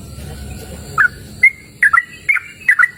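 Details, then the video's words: Sooty-headed bulbul in cool open nature, delivering scattered short whistled phrases, first single notes then paired warbles, clustered in the latter half over a low background rumble. "Suara Merdu Burung Trucukan Gacor!"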